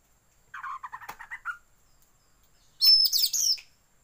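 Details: Tail-opening lure recording of Oriental magpie-robin song with white-rumped shama filler: a run of quick lower chattering notes, a short silence, then a loud, dense burst of high twisting whistles.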